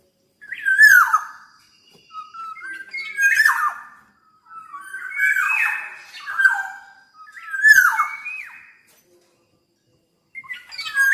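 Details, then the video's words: Very vocal (gacor) black-naped oriole giving repeated harsh, nasal, downward-slurring squawks mixed with short fluty whistles, bursts spaced about every one to two seconds with brief silences between. "Burung Kepodang Super Gacor"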